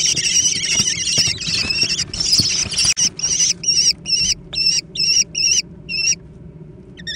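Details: Young American kestrels squabbling over food: a continuous blur of loud overlapping squeals breaks into distinct, evenly spaced shrill notes, then stops near the end.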